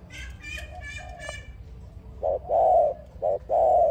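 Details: Dove song used as a lure to draw other doves into a trap; the second half carries short then long low hollow coos, while the opening holds brighter, harmonic-rich sounds and possible voices.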